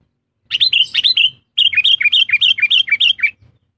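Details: Trained decoy sooty-headed bulbul, tame and used to tutor reluctant singers, delivers a loud rapid series of about a dozen bright, bouncing notes in two phrases, each note dipping then rising, over soft low rustling.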